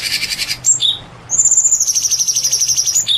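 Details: Champion white-rumped shama producing very high thin whistles, then a long, rapidly pulsing sustained trill.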